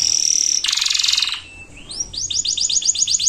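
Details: Canary 'gacor' singing used to prompt quiet birds: a clear sustained whistle, a buzzy rattling trill, a short pause, then a series of rising-and-falling whistled notes repeated about four times per second.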